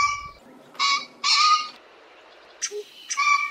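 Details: Common pheasant calling: short harsh bursts with a steady tone near the bottom and stacked overtones, three separate notes spread across a few seconds with quiet gaps between them.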